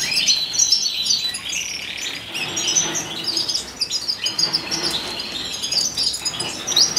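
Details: Wild canary song from 2015: a continuous run of high, rapid twitters and thin trills with slight pauses and shifts in loudness, delivered as one long outpouring.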